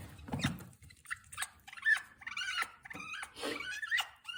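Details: African grey parrot kept as a pet indoors: a mix of short squeaks, clicks and whistled notes, some rising and some wavering, uttered in quick irregular bursts with brief pauses, plus soft rustling and room noise.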